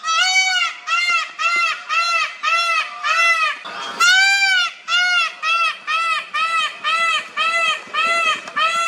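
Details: A male Indian peafowl at Wat Chaloem Phra Kiat Worawihan, a Thai temple, gives a rapid series of loud, nasal, honking calls, about one or two per second.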